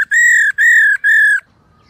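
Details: Female black-throated laughingthrush, her call used to stimulate males to sing, gives three drawn-out, clear whistled notes, each about half a second and level in pitch, closely spaced, then quiet.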